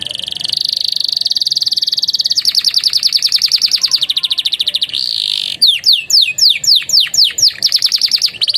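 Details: Canary song with bar-winged prinia and Javan tesia phrases, played as a tutor for other birds: long fast, even high-pitched trills, a brief buzzy hold, then a series of loud, sharply falling whistled sweeps.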